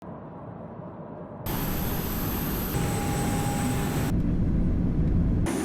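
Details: A quiet hum jumps to loud broadband roaring like an aircraft or train, with steady mechanical whines and no animal voices.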